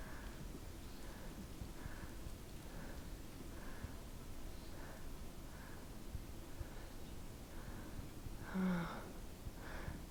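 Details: Mexican jay (Aphelocoma wollweberi) on the Arizona Trail in 2025, appearing by a hiker at lunch, calls in short, clipped mid-pitched notes about once a second, with one louder, harsher note near the end, over low wind rumble.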